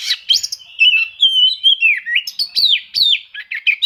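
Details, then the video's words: Oriental magpie-robin searching for rivals, its song meant to provoke quiet magpie-robins into singing: a long sliding whistle followed by brisk descending whistled notes and short sharp chirps. "suara kacer mencari musuh, cocok untuk memancing kacer susah bunyi"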